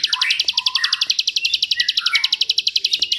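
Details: Bar-winged prinia, known locally as ciblek, singing for use as master song for songbirds: an unbroken, rapid, evenly spaced series of sharp high notes over softer lower warbling chirps.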